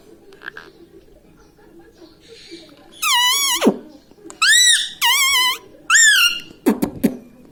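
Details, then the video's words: Pet parrot indoors mimicking human words such as mummy and papa: after a quiet start, four loud, harmonic, wavering vocal phrases of about half a second each, then two short sharp clicks. "Parrot talking everything"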